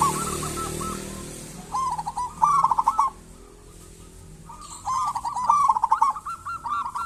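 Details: Local zebra dove singing strongly as a lure for other zebra doves. Two rhythmic cooing phrases of rapid repeated notes are heard, separated by a quiet gap of about a second and a half.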